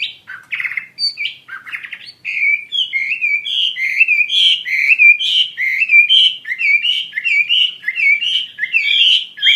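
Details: Wambi mandarin bird (zebra finch) singing actively: a long run of short nasal, harmonic notes with downward slurs, tightly repeated about once a second, after a few brief buzzy opening notes; no other sounds.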